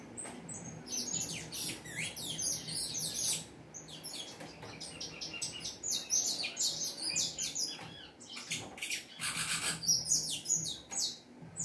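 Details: Saffron finch singing vigorously, a quick jumble of very high, sharp chirps and short sweeping notes in irregular bursts, with brief pauses and a faint low hum beneath.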